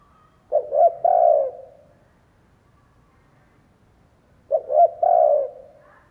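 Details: Spotted dove used as a decoy in Vietnam, calling to draw in other doves: two identical low coo phrases about four seconds apart, stuttered opening notes and a long hollow ending, faint background hiss.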